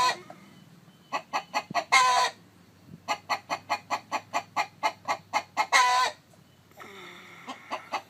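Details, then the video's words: Domestic chicken beside a hen sitting on eggs: an even series of short, dry clucks rising into a loud, rasping squawk, repeated twice, with a softer buzzy note near the end. "Gà trống kêu mái ấp trứng, âm thanh gà gáy"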